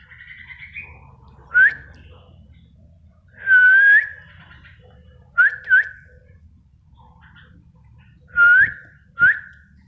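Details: Actively singing spotted bulbul giving short, rising whistled phrases, spaced irregularly and sometimes paired, with softer chattering notes at the start and a steady low background hum.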